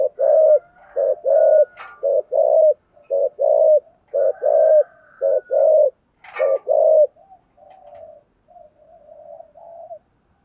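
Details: Spotted dove delivering 'thổ sấm' style 'thúc gù' coos: a fast run of low, rough, evenly spaced hoots, then a louder burst and trailing softer, drawn-out murmuring coos as the series fades.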